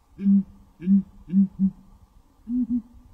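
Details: Deep grunting booms from a southern ground hornbill calling before dawn: four low, rounded notes about half a second apart, then a quieter paired double note, over a steady low hum.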